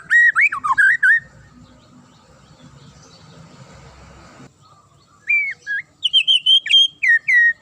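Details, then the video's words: Sharp-voiced magpie-robin song meant to make rival birds respond angrily: a burst of looping whistles, a pause of near silence, then resumed slurred whistles and fast high chips. "DIJAMIN Langsung NYAUT dan NGAMUK Pake Suara TAJAM Murai ini"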